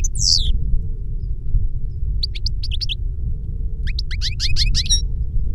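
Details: European goldfinch in a cage singing reclamo song, part of a master bird teaching a novice goldfinch. Sparse short groups of bright chirps with a long silent gap, over a loud steady low hum.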